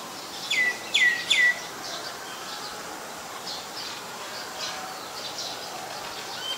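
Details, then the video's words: Common myna recorded in Ubon Ratchathani, Thailand, on 15 March 2021 with a Nikon P1000: three quick clear whistles, each dropping sharply from high to lower pitch, in under a second, then faint distant chirps over steady background hiss. "นกเอี้ยงสาริกา (Common Myna)"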